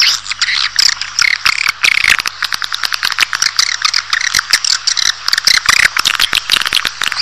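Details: Swiftlet chatter used to entice a colony into a building: a thick, unbroken wash of high rattling twitters and rapid clicks, crowded and busy throughout, over a faint low hum.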